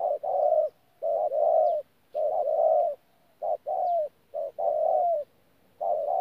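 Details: Caged decoy spotted dove, Tumorong, 14 January 2019, in thổ-pha-gù style: rich, low hollow coos, some long and smooth, some short and clipped, in uneven groups separated by brief silences.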